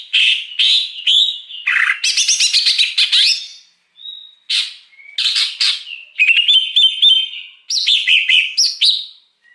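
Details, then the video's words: Wild greater green leafbird singing, a recording used to lure wild birds: loud, varied phrases of buzzy trills, sharp squawky notes and short whistled slurs, broken by brief pauses. "Suara Pikat Cucak Hijau Liar"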